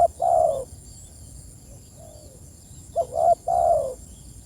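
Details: Spotted dove calling to its companions, giving mellow hooting coos: one long croo, a quiet fainter coo, then a clipped note followed by a drawn-out croo. Weak high twitters sound behind.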